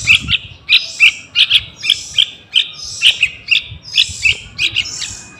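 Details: Yellow-vented bulbul youngster used as a lure for wild birds, uttering clusters of quick high chirps and double notes with breathy, hissing overtones in quick irregular succession.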